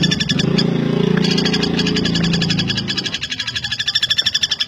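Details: Common flameback (Dinopium javanense), a bird kept as a tutor for songbirds: a fast rattle of sharp, high, evenly repeated pulses that slow slightly and swell toward the end, over a low steady droning hum during the first three seconds.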